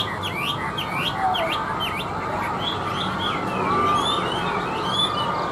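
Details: Chinese hwamei, a hand-tamed bird on a table, sings a run of quick downslurred and upslurred whistles, followed by scattered varied notes, against heavy continuous hiss.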